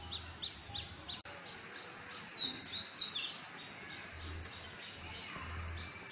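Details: Indian robin singing in a home garden: a few loud, sharp descending whistled notes mid-clip over a faint steady background of other high chirps and low rhythmic hum.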